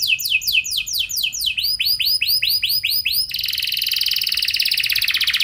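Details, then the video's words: Canary singing a fancy, long-shooting lure song: rapid falling whistled notes, then slower arched swooping notes, then a long even buzzy trill. "Pasti Nyaut Gacor Do00r Dengan Pancingan Kenari Cengkok Mewah Nembak Panjang Ini"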